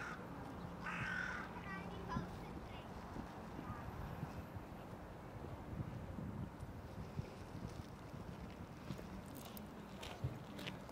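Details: Female ruddy shelduck in Ljubljana, Slovenia, on 6 February 2023, gives a few nasal, goose-like honks in the first couple of seconds, then mostly a low rumble of traffic or water.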